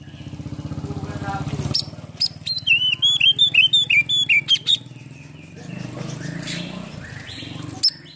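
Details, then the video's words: Oriental magpie-robin with a full repertoire of fill-in phrases, tail spread in a cobra-like display. A murmur of low voices comes first, then a run of bright, whistled, upslurred notes repeated quickly, then a quieter stretch and a final high note. "PANCINGAN KACER ISIAN FULL BUKA EKOR NGOBRA"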